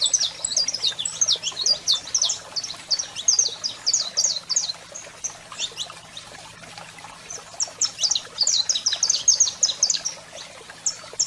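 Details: Saffron finch male in full song alongside a calling female: rapid high chirps packed into two long bursts separated by a brief lull, bright and sharp, with a quiet electrical hum below.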